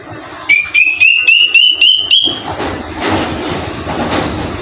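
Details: Square-tailed drongo-cuckoo (kedasih hitam) whistling an ascending scale of about seven crisp notes, roughly four per second, climbing evenly; afterwards only a low, hissing background remains.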